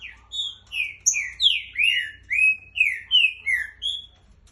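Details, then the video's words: Trinca-ferro delivering a longer run of about ten clear, whistled slurred notes in quick succession, some falling and some rising, at a steady lively pace over a faint background hum. "Trinca Ferro"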